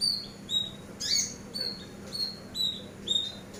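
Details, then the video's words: Eurasian tree sparrow used as a training master: thin, high chirps delivered roughly twice a second, with one harsher scratchy note early on, over a soft constant background hum. "MASTER BURUNG GEREJA"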